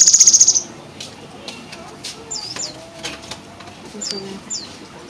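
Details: A Java sparrow in the late afternoon gives its odd rapid, high, rattling trill for half a second, followed by scattered soft high chirps and brief downslurred whistles.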